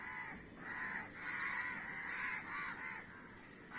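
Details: Several crows trading loud, drawn-out hoarse caws that overlap and blur into one another, with background hiss.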